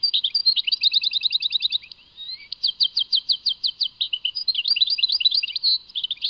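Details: European goldfinch from Tadmait singing a rapid twittering song, runs of quick buzzy notes broken by a brief rising whistle, then a series of evenly spaced clipped notes and a final liquid jumble, with no other sounds.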